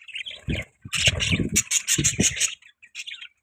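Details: Budgies chatter in a run of bright, buzzy chirps, a fast string of about six clipped notes in the middle, over soft thumping sounds.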